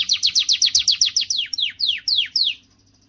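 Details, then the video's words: Canary giving a strong song to motivate females. Quick repeated downslurred notes, about five per second, become slower, longer falling whistles toward the end, with a faint high tone trailing off. "تغريدة قوية من الكناري لتحفيز"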